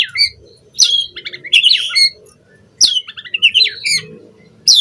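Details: Captive white-rumped shama lure recording: high, sharp whistled phrases and chattering notes in short bursts, over a faint low hum in the background.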